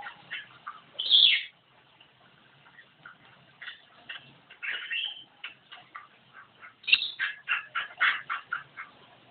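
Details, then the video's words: A Javan myna delivers a loud shrill whistle, then softer mixed chatter, then a rapid series of rasping strident notes in quick succession. "Burung jalak kebo gacor"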